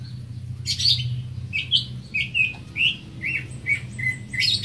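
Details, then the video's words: Greater green leafbird singing a series of short, varied whistled and chirping notes, sliding up and down, spaced about every half second, over a steady low hum. "Greater Green Leafbird (Bird Singing 74)"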